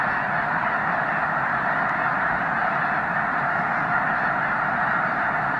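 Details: Massive snow goose flock on migration at Loess Bluff National Wildlife Refuge, March 2021. Thick, steady din of countless honking calls merging into one continuous roar.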